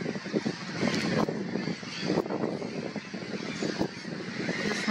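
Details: Steady broadband rumble like a passing vehicle or aircraft engine mixed with wind by a lake in April, with no animal calls.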